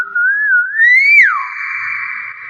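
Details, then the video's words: Common hill myna giving a clear whistle in mimicry. The tone wavers gently, climbs to a peak, drops slightly and then holds as a long, steady, buzzy note in a quiet room. "BURUNG BEO SUARA ASLI"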